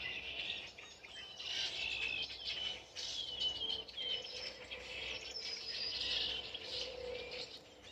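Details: Birds singing in woodland at dawn in October: a busy chorus of thin, high whistled notes and short chirps, several voices overlapping over a steady background hiss.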